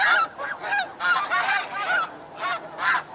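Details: Snow goose giving flight calls at Chincoteague, Virginia, with flock calls behind: loud, harsh, nasal honks, about six in three seconds, each short and slightly falling, separated by brief gaps.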